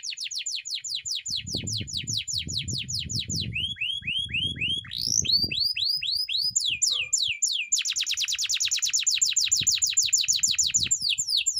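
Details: Canary training song, a continuous varied phrase: fast repeated downward-sweeping notes, a run of slower rising whistles, then a long rapid buzzy trill, over faint low rumbling background noise.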